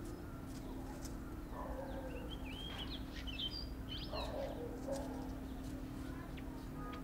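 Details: Grey-hooded warbler recorded in Uttarakhand, India: a string of quick, high, sweet notes that twist and slur, scattered through a few seconds, with a steady low drone and some lower bird calls in the background.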